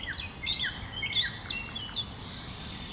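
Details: A common nightingale (Luscinia megarhynchos) sings from bushes: a rapid, varied run of high whistles and downward-slurred notes in quick overlapping phrases over faint background hiss.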